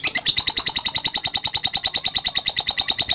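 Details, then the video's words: Lovebird in full song, a long ngekek: a fast, even chatter of bright, high notes about six per second, running steadily for the whole stretch with no pause. "LOVE BIRD GACOR NGEKEK PANJANG"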